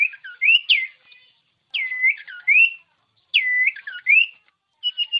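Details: Common iora song used to spur idle caged birds into song. Paired looping whistles, one dipping and one rising, repeat in three phrases about every one and a half seconds, ending with short level notes.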